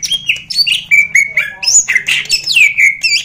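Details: Champion greater green leafbird in full song, pouring out rapid phrases of bright whistles, downward slurs and scratchy notes. The voice is coarse and persistent, with each burst about a third of a second long over a faint low hum.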